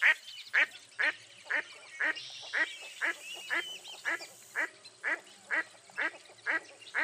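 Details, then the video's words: Mottled duck, a dabbling duck of eastern North America, giving a long series of loud, harsh quacks spaced about half a second apart, steady and evenly repeated, with faint higher bird notes in the background. "Mottled Duck Call"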